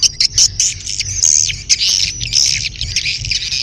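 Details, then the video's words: Swiftlet calls for mating, a dense shrill twitter with sharp clicks at the start and drawn whistled notes inside, over a soft low hum. "SUARA WALET BirahiBeranak | the sound of swallow lust"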